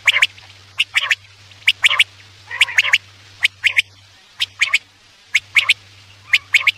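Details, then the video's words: Quail calls played as a night hunting lure: crisp, clicking high notes in pairs and triplets, scattered unevenly with a few raspy ones, over a low intermittent hum. "Batair ki awaz raat k liye|batair ki awaz shikar k liye"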